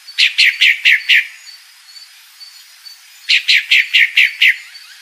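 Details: A calling female Pale-breasted thrush (sabiá-barranqueira) gives two quick bursts of five or six sharp, slightly falling notes, a pause between them, against a quiet background.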